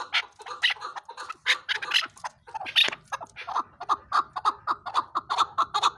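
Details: Rapid clucking from a chukar partridge: loud, ragged chuk notes at first, then settling into an evenly spaced, rhythmic run of shorter notes, roughly three per second.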